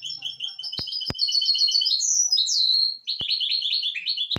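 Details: For teaching young birds, a misto hybrid canary delivers high warbled trills, a sliding rising whistle and a bright descending note, with a few sharp clicks cutting through.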